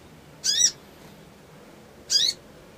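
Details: Crimson sunbird in a lure recording meant to provoke an emotional, quick response, in ngriwik ngleper trotol style: two brief, sharp, high chirps about a second and a half apart over a faint hiss.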